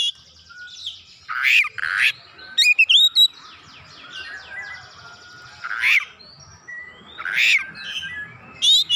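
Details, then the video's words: Oriental magpie-robin singing vigorously as a lure recording, unloading its repertoire of mimicked fill-in notes: loud harsh buzzy bursts alternating with clear rising whistles and quick chattering trills, separated by short pauses over a faint steady background hum. "PANCINGAN KACER LANGSUNG GREGET GACOR BONGKAR ISIAN"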